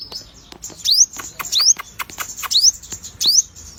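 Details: A sogon (Crimson Sunbird) with unusual colouring, singing eagerly: thin, high, rising whistled upsweeps repeated about once every 0.7 seconds, mixed with sharp clicking ticks.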